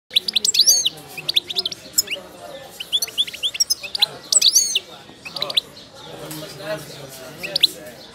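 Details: Moroccan wild goldfinch of the wiydani type singing while in moult: bright, rapid bursts of high twittering and tinkling notes in phrases of a second or two, with short pauses between and faint low voices behind.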